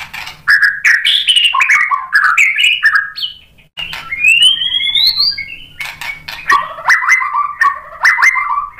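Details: White-rumped shama singing to draw another bird into song: loud, varied whistled phrases with clicks, a rising sweeping whistle midway, then quick choppy notes.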